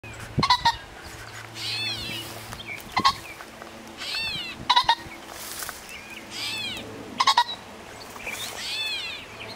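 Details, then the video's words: A male pheasant cackles from the brush after chasing the recordist, giving harsh, loud bursts of two or three clipped notes about every two seconds; small birds twitter in the background over a faint low hum. "Pheasant - making noise"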